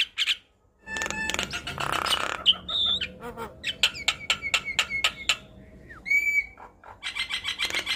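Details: Javan myna (jalak kebo) in full, lively gacor song, used as a tutor recording for young birds: harsh broadband rasps and clicks mixed with short whistled notes near 2–4k, a sliding whistle, then rapid rattling bursts.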